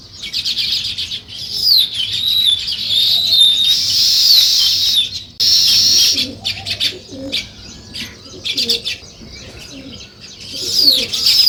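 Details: Sparrows chirping in the morning: a dense chorus of high, rapid chirps and short twittering notes from many birds, with a lull near the middle before the chattering swells again toward the end.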